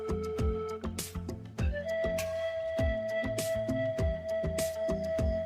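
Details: Instrumental music with sustained flute-like tones over steady plucked and percussive beats, with no animal voice heard.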